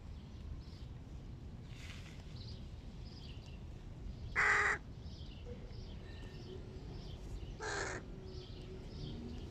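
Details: Hooded crow family breakfast with large chicks: mostly quiet background with faint distant calls, broken by one loud, hoarse caw and a softer second caw about three seconds later.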